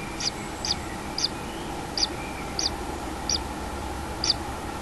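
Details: Common kingfisher at its nest with a chick, 6 July 2016: single bright high chips spaced about every half second, clear and separate, above a steady humming background.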